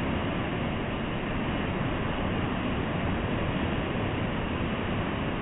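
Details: Constant dense hiss and rumble like engine or wind noise, muffled and unchanging throughout, without any animal call.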